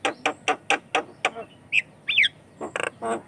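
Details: Lively Javan myna song, meant to lure and train other mynas: quick clipped chacks, two twisting whistles, then nasal chattering notes.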